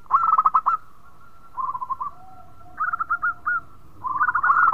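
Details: Local zebra dove singing energetically and melodiously, said to make other birds sing too. Repeated phrases of fast staccato cooing, some higher and some lower, suggest more than one bird, with a faint lower note line between phrases.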